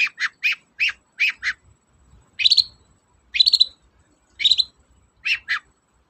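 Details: Long-tailed shrike song meant to prompt quiet shrikes to sing: a quick run of five chattering notes, then three louder buzzy rising phrases with sharp squeaky tops, ending in two clipped notes.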